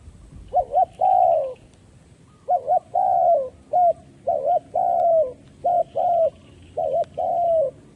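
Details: Decoy spotted dove calling steadily to attract wild doves into a trap. Its cooing phrases come back to back, each a pair of short hoots then a longer falling coo, about six phrases in eight seconds.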